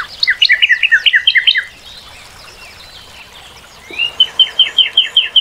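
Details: Northern cardinal song: a quick tumbling run of down-slurred whistles, a pause, then a steady row of clear high whistled notes repeated about every quarter second.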